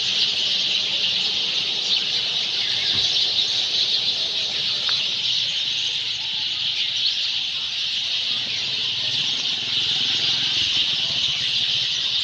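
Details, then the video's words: Many Sind sparrows chirping from their nests in garden trees at evening, before night falls; a thick, constant mass of high chirps and tweets, with a few louder single notes and faint low background rumble. "Sparrows In their nests ||the day is over||Night is to begin||Chirping Sounds ||Sind Sparrow||"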